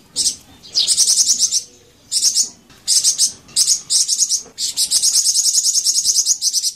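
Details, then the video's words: Flamboyan bird singing a high, thin trilled song: several short sizzling bursts separated by brief pauses, then a sustained rapid trill over the last two seconds. Used as a lure to get other Flamboyan birds to answer. "Suara Merdu Bikin Burung Flamboyan Teler dan Langsung Nyaut"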